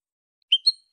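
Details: European goldfinch, a male, uttering two quick high chirps followed by the start of a third, each note sharp then fading; silence around them.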